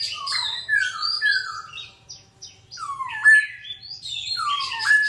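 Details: A songbird delivers loud, varied song: clear falling whistles and trills interwoven with high chattering notes, a brief pause near the middle, then another strong sweeping phrase; a faint low hum sits in the background.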